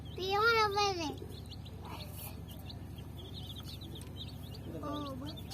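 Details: Baby chickens (murgi chicks), colour chicks said to be thirsty for water: loud high peeping chirps with wavering pitch, one long burst then a shorter one later, over a constant low mechanical hum.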